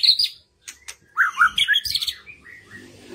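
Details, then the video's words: White-rumped shama song played as a lure to stimulate reluctant birds to sing: sharp high notes and clicks open, then a rich tumble of varied whistled phrases, slurred rising and falling, fading into softer twitters. "PANCINGAN MURAI BATU MERANGSANG BURUNG YANG SUSAH BUNYI LANGSUNG IKUT BONGKAR ISIAN"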